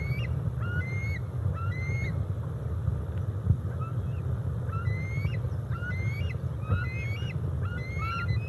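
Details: Juvenile bald eagles, a pair more than 17 weeks old, together at Decorah North on July 27, 2021, caught on a nest camera; repeated upslurred whistles, some with a kinked end, sound in quick groups across a constant low background hum.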